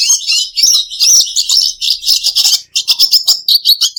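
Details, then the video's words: Red siskin, a pet songbird, singing a fast, dense twitter of high buzzy and tinkling notes, broken by brief pauses, with scratchy trills near the end. "red siskin bird"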